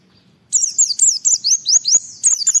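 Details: Oriental white-eye singing hard to challenge rivals and draw other kept white-eyes into song: a continuous two-second run of very high, fast, scratchy warbling notes, each a quick downward slur, sung close and loud.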